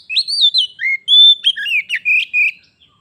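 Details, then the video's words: Oriental magpie-robin, a caged pet visited by a wild one, singing in a vocal duel that turns into a fight; loud, clear whistled phrases with notes sliding up and down, short rapid chattering elements, no other sounds. "Kacer _adu suara sampai jadi bertarung/fight Cok"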